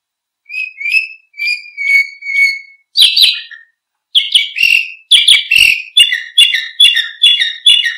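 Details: Canary song as a master recording for training birds: paired soft whistles repeated steadily, then loud buzzy chirps after a pause, followed by a rapid repeated series of harsh, rolling notes.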